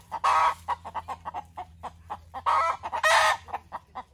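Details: Hen cackling after laying an egg: a run of short, evenly spaced clucks punctuated by three loud, drawn-out harsh squawks, the clucks repeating roughly every quarter second between them.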